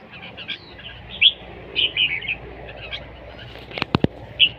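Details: Competition-singing red-whiskered bulbul giving short, scattered whistled notes, followed near the end by three sharp clicking knocks and a final bright note.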